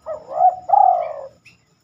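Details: A spotted dove heard at night, when it rarely sings. A single mellow phrase begins with a rising coo and a brief note, then a long coo that slowly drops and fades.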